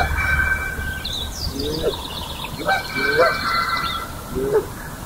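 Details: Early-morning Canada Geese, May 4, 2016, at Johnson Prairie, calling among Sandhill Cranes in a natural amphitheater. About four rising two-part honks sound at irregular intervals against steady crane calling and distant high chatter.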